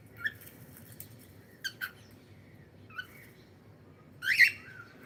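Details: Pet cockatiel uttering brief chirps and clicks, then a louder, slightly drawn-out squawking call near the end, all over a faint low indoor hum.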